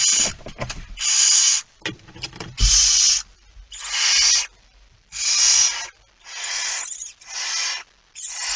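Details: Barn owl with a mouse, recorded at night on 17 September 2019 at 01:49: a steady series of about seven harsh, drawn-out hisses roughly every second, preceded by scraping and thudding movement sounds.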